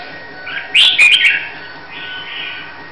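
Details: Red-whiskered bulbul of the Hue strain, Vietnam, readied for a singing competition, utters one short, loud warbled burst of tumbling whistles followed by a softer trailing note.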